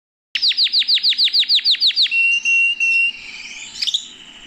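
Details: Canary singing while held in a person's hand: a fast run of about a dozen high, sharply falling whistled notes, then sustained steady whistles and a softer warbling tail.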